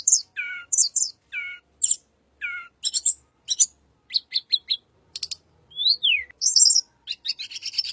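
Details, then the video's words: Little pied flycatcher, a sound used as a lure for white-rumped shama: a lively series of short chirps. Low, buzzy double notes repeat three times and alternate with high, sharp bursts. A thin, gliding whistle and rapid high twittering follow. No other sounds. "BURUNG TLEDEKAN SUARA UNIK"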